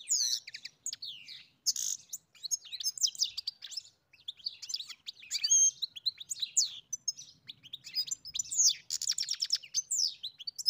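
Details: A long stretch of European goldfinch song, a lively, unbroken jumble of high tinkling chirps, slurred whistles and brief buzzy rattles.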